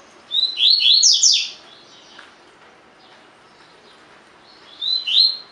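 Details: Double-collared seedeater, 'tui tui' song used to train caged birds: a fast burst of sharp descending whistled notes, a long pause, then a shorter two-note opening of the next phrase.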